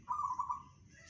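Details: Single brief rolling coo from a local zebra dove, a rapid burbling trill held at one low pitch for about half a second, then fading into faint background hum.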